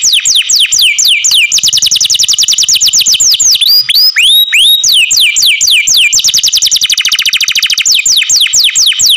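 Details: A captive canary pours out a steady, rapid trill of sliding notes for the whole stretch, briefly interrupted by a few longer rising whistles before the fast rolls resume.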